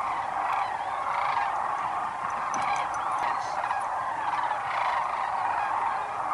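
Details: Sandhill cranes wintering at Whitewater Draw in southern Arizona, a stopover where they roost in shallow water: a dense, unbroken chorus of many rolling, trumpeting calls overlapping from a large flock.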